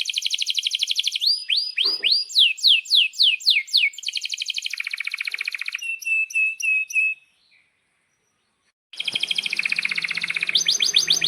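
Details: Canary 'gacor' song for tutoring young or silent canaries: fast trill, then rhythmic rising-falling slurs, a buzzy roll, short repeated chirps, about two seconds of silence, then a harsh, noisy trill.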